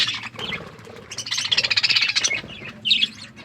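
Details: Budgies eating and playing; soft chatter builds into a fast, buzzy warbling stretch of high chirps, followed by a quieter pause and one sharp squawk near the end.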